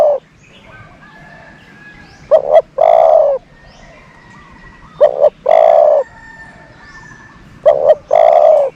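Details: Decoy dove luring doves, cooing three evenly spaced phrases roughly every two and a half seconds, each a short double note followed by a sustained low hoot.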